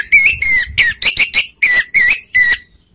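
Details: Orange-headed thrush lure song for provoking rival birds: a steady three-second string of about nine rich, slurred whistles, some level and some gently dropping, delivered in quick rhythmic succession.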